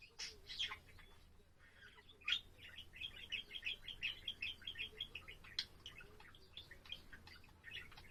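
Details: A pet budgerigar's warble, a fast stream of chirps, squeaks and clicks repeated in quick succession, louder bursts punctuating the continuous twittering, low household hum underneath.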